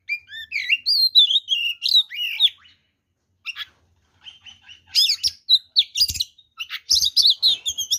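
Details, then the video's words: Rival-baiting song of an oriental magpie-robin: loud looping whistles and slurred notes, a short pause, then rapid harsh chattering and squeaky phrases. "SUARA BURUNG kacer gacor TARUNG FULL ISIAN ini PALING AMPUH MEMANCING KACER LAIN JADI EMOSI"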